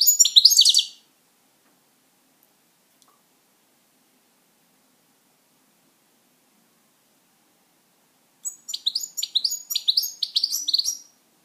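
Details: Pet European goldfinch: a short burst of fast twittering, about seven seconds of silence, then another quick phrase of high tinkling chirps and trills.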